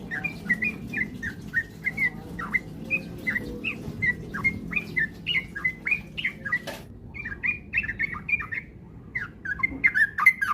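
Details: Sooty-headed bulbul singing as a lure so kept birds sing fast and often: long chain of bubbly chirps and slurs, one sharp click midway, short pause near the end, low hum beneath.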